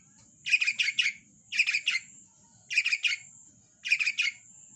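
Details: Long-tailed shrike singing in lively form: four dense clusters of harsh, chattering notes, each burst lasting about half a second and repeated roughly every second, over a faint low rumble.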